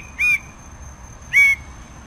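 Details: Red bird-of-paradise (Paradisaea rubra) giving two loud, nasal, slightly rising calls about a second apart, each with a buzzy harmonic ring, over a faint steady high whine in the background.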